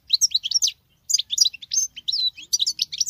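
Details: Female goldfinch delivering male-like song, a quick jumble of tinkling, twittering high notes in two runs split by a brief gap.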